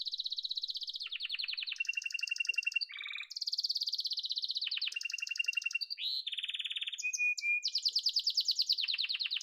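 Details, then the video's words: Domestic yellow canary singing a varied, somewhat quiet sequence of buzzy rattling rolls at changing pitches, with brief whistled notes between tours. "Muhteşem Kanarya Sesi: Sarı Kanarya'nın Efsanevi Ötüşü"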